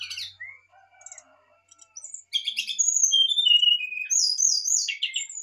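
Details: Varied fluting song of a lively brown-chested jungle flycatcher, used to stimulate a lazy bird: quiet thin whistles at first, then loud high clear whistled notes dropping in pitch, with fast chirps and slurs.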